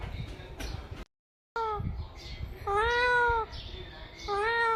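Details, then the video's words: Talking pet parrot uttering long, steady, harmonic nasal phrases with a gentle arch, two clear calls in the second half, over background noise and a person speaking Hindi. "Funniest Talking Parrot | Talking Mithu Parrot"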